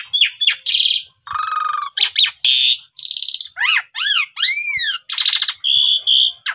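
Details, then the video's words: Pundung-type Asian pied starling singing as a lure recording made on a vivo phone: varied chattering phrases, a low buzzy bar, then a run of three arched whistled notes and scratchy bursts, all clear and close. "Pancingan Jalak Suren Pundung Pasti Langsung Gacor"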